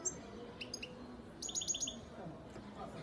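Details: European goldfinch, 2019 young bird, Antalya, Turkey: a few clipped high notes, then a quick run of four or five bright twittering syllables, over a faint hum.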